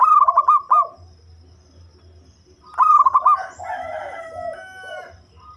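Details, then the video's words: Local zebra dove with a deep, bass voice, suited for luring birds; two short bursts of rapid, pulsed cooing notes about three seconds apart, the second followed by a softer, drawn-out tonal sound. "Perkutut Lokal Suara Ngebas || Cocok Buat Pikat"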